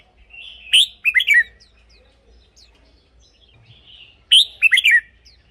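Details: Caged red-whiskered bulbul singing, a recording for decoying or exciting birds. Two lilting phrases of quick looping whistles about three and a half seconds apart, with soft twittering notes between.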